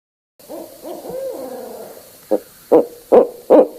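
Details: Barred owl with soft, wavering, gliding hoots that build into four loud, clipped hoots at the end; nothing else is heard.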